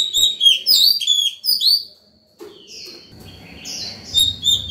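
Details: White-rumped shama in morning song, calling other birds and teaching young ones: a run of clear, fast whistled phrases and sweeping notes, a short pause, then softer rising whistles over low background noise.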